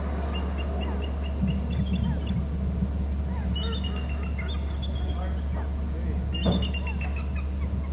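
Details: Bald eagles calling at a Hornby Island nest territory, two birds heard with a third perched nearby; bursts of high, rapid chittering notes stepping downward, repeated three times, over a constant low mechanical hum.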